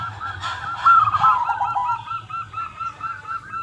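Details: Local zebra dove cooing, used as a lure to draw other doves into answering; a run of quick, evenly spaced soft rolling coos, a warbling stutter early on, with low rumbling background noise throughout.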